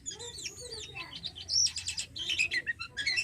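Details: A Javan pied starling in captivity delivers rapid chattering song: twisting whistles, buzzy rattled phrases and sharp squeaky notes.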